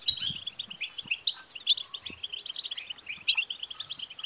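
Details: Betbta-style chatter of a European goldfinch, played to excite a male goldfinch into song: fast tinkling twitter of clipped notes, punctuated by sharp high whistled accents and a few faint low knocks.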